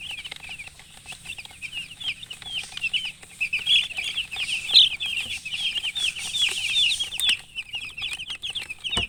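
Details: Chicks alongside a hen produce a dense, steady stream of high peeping, countless short chirps blending into a continuous chatter that swells in the middle, with a knock at the end.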